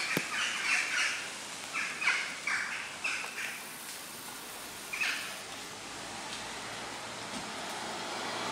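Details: Western jackdaws flying in large numbers at sunset near roosting trees in The Hague, Netherlands, October; bursts of short harsh chack calls in clusters during the first half, then quieter background hiss.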